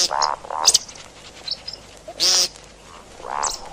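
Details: See-see partridge calling, used for hunting: two quick nasal notes, then scattered high squeaks, a loud harsh rasping burst, and a final drawn-out nasal note.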